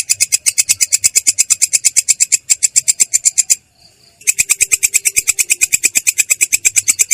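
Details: Long-tailed shrike rolling its song, clear and harsh-voiced: a fast run of grating, buzzy notes, a brief break of roughly half a second, then the rapid series starts again.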